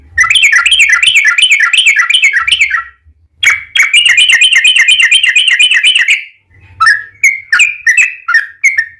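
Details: Yellow-vented bulbul lure recording: two fast chattering trills of wavering notes, each around three seconds, followed by a few separate bubbly whistled notes.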